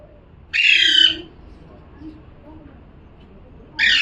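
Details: Parrot giving one rough, raspy squawk, then several seconds of near quiet before another harsh cry begins at the very end.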